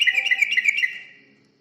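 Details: Yellow-vented bulbul song played as a bait recording to attract other birds: a rapid string of about eight bright, bubbly chirps lasting under a second, trailing off into a soft echo.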